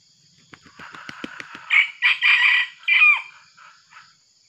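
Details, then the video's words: Red junglefowl crowing, a decoy male used to lure wild males, described as bolder after once being seized by an eagle; several short clucks and taps precede a loud four-part crow with a falling final note. "pikat josssjokinya jossayam hutan jossspokoknya joss gandosss"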